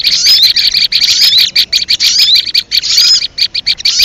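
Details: Sogon lure call for trapping: loud, busy, high twittering made of quick, tightly packed chirps and short slurred whistles in brief bursts separated by tiny gaps.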